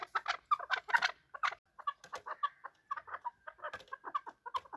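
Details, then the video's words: Chukar partridge (chakor) calling during a fight: quick, rasping chuck and chatter notes in irregular clusters, slightly quieter, with a few brief gaps. "Chakor fighting and making voices / chakor ki awaz / chakor calling / chakor voice"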